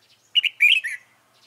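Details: Fighting song of a stubborn white-cheeked red-whiskered bulbul, recorded while trapping with a decoy bird on 26 June 2018: a bright, rapid, warbling phrase of five or six liquid whistled notes.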